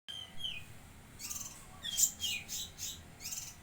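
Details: Lesser green leafbird (cucak kinoi) from Jambi singing actively: a descending whistled slur, then bursts of high buzzy, scratchy notes and a few short sweeping chirps over faint low hum.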